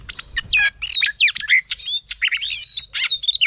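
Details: A female oriental magpie-robin sings to excite a male. Short bursts of bright, swooping whistles and twisting slurred phrases come in quick succession, separated by brief pauses.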